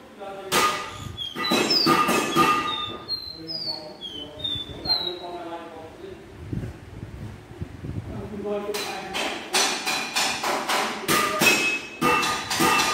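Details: Capped seedeater of the pé de serra, serrano or Santa Maria kind, kept in a cage and taken to a workplace, sings a series of bright, high whistled notes, mostly falling in pitch, among loud clattering knocks and talking.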